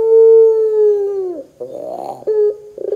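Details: Pelung-type Barbary dove singing as a lure for other doves: a long, level, low coo that sags and fades at the end, then a rough rolling note and brief clipped coos.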